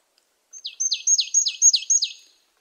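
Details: Bright repeated call of a marsh tit: six or so snappy notes, each a very high tick sliding steeply down, delivered in a rapid even series with nothing else audible.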